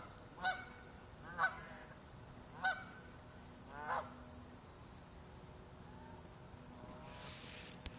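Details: Warning calls from ducks swimming away from a lake shore as someone arrives; four sharp nasal honks in the first four seconds, then quieter background with faint rustling.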